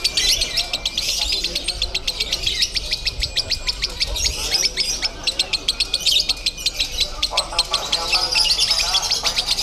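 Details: Konslet-style lovebird song at a Bandung singing contest: a long unbroken burst of fast, evenly repeated sharp high chirps forming a rattling trill, over faint background voices.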